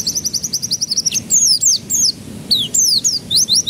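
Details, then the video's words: Singing canary, a training recording meant to get juvenile canaries singing quickly: a rapid rolling trill of high notes, then repeated sweeping downslurred whistles in short bursts. "Pancingan Kenari Paud Agar Cepat Pecah Suaranya"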